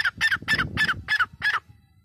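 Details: A grey francolin gives six loud, harsh, ringing notes, one about every quarter second, before stopping abruptly, over a low background rumble.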